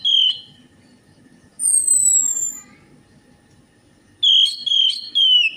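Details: Orange-headed thrush singing as a lure to coax another bird into song: a short clear whistle, a long thin falling whistle, then three quick repeated whistled notes.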